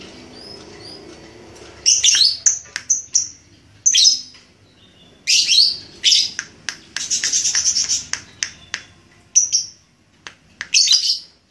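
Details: Red-headed lovebird training its ngekek, a trilling chatter. Loud, shrill, raspy bursts are broken by short pauses, with a denser run of chattering in the middle.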